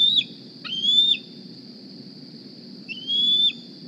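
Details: Hungry juvenile bald eagle, 2020 Decorah nest, squees for a meal one morning: two separate high whistled squeals, each a sharp onset, level rising tone and abrupt drop, separated by a long quiet gap with a steady high hum.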